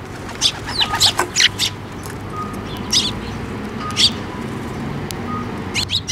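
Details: Sparrows arriving to be fed on a bridge over water at a shrine in May 2024: a quick cluster of sharp chirps early on, a lone chirp at three and four seconds, then a final pair, with faint hum and distant tones behind.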